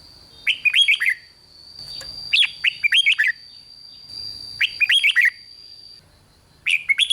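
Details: Red-whiskered bulbul song in the Thai 'rik' style to rouse other bulbuls: four rapid phrases of bright, falling whistled notes roughly every two seconds, over a steady high whine and faint low rumble.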